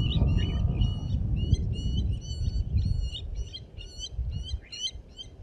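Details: Blacksmith lapwings protecting their nest at Djuma Private Game Reserve call a steady string of bright, metallic 'tink' notes, about three a second, like hammer on anvil, over a low rumble.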